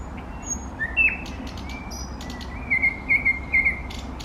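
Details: Eastern nightingale song with a long thin level whistle, a rising slur, then a series of four short loud pulsed notes at a steady beat, over quiet low rumble.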